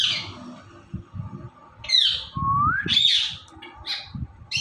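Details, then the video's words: Indian ringneck parrot talks and dances, mixing harsh raspy squawks with a smooth upward-sliding whistle and short chattering notes, set against a low background hum. "Ringneck Parrot Talking"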